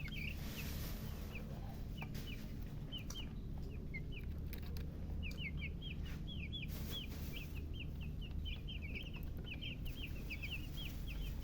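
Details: Chicken chicks give scattered high, slurred cheeps at first, then more frequent overlapping peeps from about halfway on. Occasional thumps and knocks and a low steady hum fill the background.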